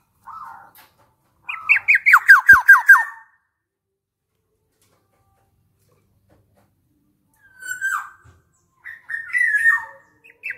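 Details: Harsh descending notes from a black-naped oriole come in a fast run of about eight, then a long silence, then falling slurred calls near the end. Nothing else is clearly audible.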